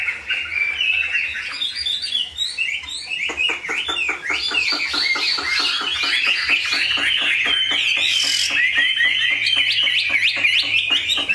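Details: Chinese hwamei in captivity gives a fast, chattering series of sharp repeated notes, about four per second, under a jumble of high whistles, building steadily louder toward the end.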